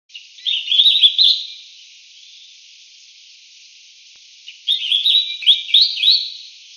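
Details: A Collared finchbill (Spizixos semitorques cinereicapillus) calls, giving two short bursts of bright, chattering, slightly warbled notes, each about a second long and roughly four seconds apart.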